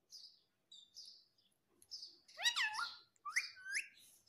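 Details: Talking parrot: several thin, high chirps, then a burst of rich, harmonic, bending calls with two more swooping notes after a brief pause.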